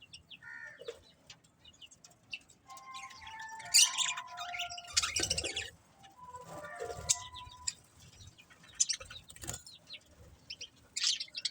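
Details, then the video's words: Pet budgerigars chirping in short bursts of warbled, chattering notes, with brief clicks and soft squeaky tones scattered across the recording and quieter gaps between outbursts. "Cute Budgies Chirping Sounds"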